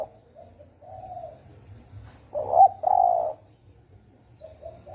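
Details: Spotted dove giving the thổ ồm and thổ đồng call styles: a loud two-part cooing phrase in mid-recording, a short note then a longer hoarse coo, with fainter soft coos before and after.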